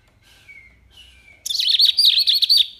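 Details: Wambi (mini) song used as a training track for songbirds. Two faint, thin whistled notes are followed by a loud, dense burst of rapid, warbled chirping over the last second and a half.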